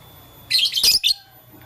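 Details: Short outburst from lovebirds, blue, lutino and green, playing with a flower: a sharp, shrill chattering squeak lasting under a second, then one quick high chirp, over a quiet room.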